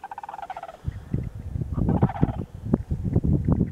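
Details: A Sandhill crane (Grus canadensis) at Montezuma, New York, on 29 November 2022 gives a brief rolling, rattling trumpet, then heavy low thumping and rumbling noise takes over.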